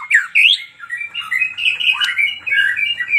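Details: Magpie-robin in loud song, with sharp rising whistles followed by a continuous chattering warble of mixed notes, somewhat indoors-sounding.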